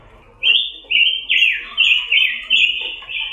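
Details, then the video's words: Melodious warbled song from a red-billed leiothrix, called pancawarna in Indonesia: five or six rich, slurred phrases in quick succession, each beginning abruptly and trailing slightly downward. "KICAU BURUNG PANCAWARNA || ROBIN BIRD VOICE"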